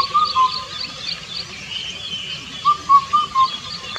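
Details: Indian cuckoo song: the tail of one mellow whistled phrase, then a pause, then a full four-note phrase on fairly level pitch. Background noise is steady and faint.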